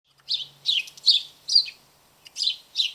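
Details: A noisy house sparrow in a backyard garden gives bright, chirpy notes in short bursts, about two or three a second with uneven gaps, and nothing else intrudes.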